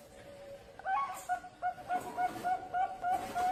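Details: After a faint start, a young zebra dove of the Bangkok line gives a brisk string of short, soft, mellow coo notes, about three per second, each with a slight lilt.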